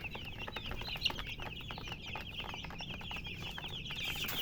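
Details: Chicks chirping, a steady chorus of high, thin cheeps repeated rapidly, with one sharp click near the start, over a quiet low background.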